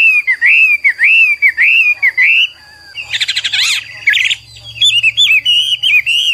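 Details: Tutor recording of a Chinese hwamei (Garrulax canorus): rich, looping whistled phrases rising and falling with quick slurs, broken by a harsh buzzy burst midway, over a faint steady high tone.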